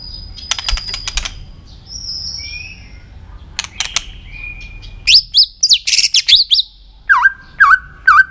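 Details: White-rumped shama singing in many voices to train and excite other shamas: scattered high whistles and clicks, then loud swooping notes and three separate downward-sweeping calls at the end.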